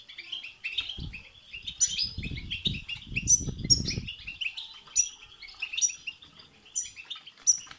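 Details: European goldfinch batbata and satsata twittering aimed at making goldfinches sing; fainter continuous chatter with thin, piercing high whistles recurring about once a second, and a rumbling low noise early on.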